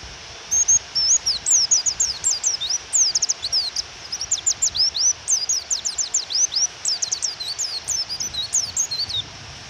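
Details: Nearly nonstop chattering of a female Japanese white-eye calling to provoke a male to sing: many rapid high, thin, downward-sweeping chirps over a steady background of rain.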